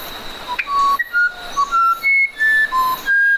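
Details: Musician wren singing a series of pure whistled notes, each held briefly at a different pitch, jumping up and down irregularly with short gaps between them, over a faint steady hiss.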